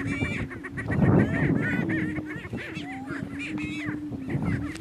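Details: Two male Greater Prairie Chickens battling for dominance on a lek in northeast Kansas: a steady low booming drone runs underneath dense overlapping cackles and sharp whooping notes, louder around the first and second seconds.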